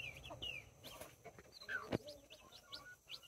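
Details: Two mother hens with nine chicks, mini and Brahma, recorded October 24, 2024. Scattered shrill, descending peeps from several chicks, one louder sliding chirp in the middle, a sharp click, and faint murmuring clucks.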